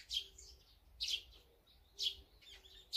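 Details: Wild birds feeding, among them azure-winged magpies, tree sparrows, tits and brown-eared bulbuls: short bright chirps roughly once a second, each a quick burst, over a faint low hum.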